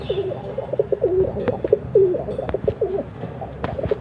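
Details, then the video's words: Pigeon cooing in a steady run of low, throaty, rolling coos, each note wavering and dipping, with soft background hum and a few faint clicks. "कबूतर की आवाज || kabutar ki awaz || Pigeon Sound"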